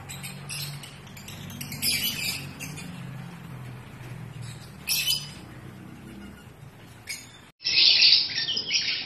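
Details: Pet African lovebirds calling in breeding season, with scattered shrill squawks and chirps over a low hum. A brief silence comes near the end, followed by a loud, harsh screech.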